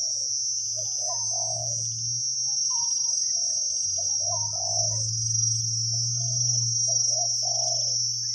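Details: Spotted dove in the forest during decoy trapping, deep voiced: a string of mellow low coos in uneven phrases, some notes rising slightly, set against a strong continuous insect buzz and a low hum.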